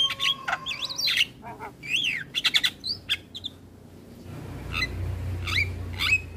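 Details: Javan myna morning song meant as a model for young mynas: varied whistled slurs and clicks, sharp chirps, with a pause and low rumbling background in the second half.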